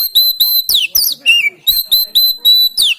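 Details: Oriental magpie-robin, Banten, phone-recorded training song for silent birds: loud clear whistles on one high note repeated about every quarter second, broken by downward-sweeping slurred whistles and one lower drawn-out note.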